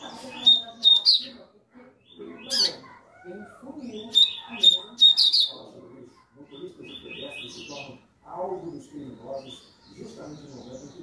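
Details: Tui-tui style warm-up song of the Double-collared seedeater: clear high piercing notes and rapid chirp runs repeated a few times, mixed with music and speech.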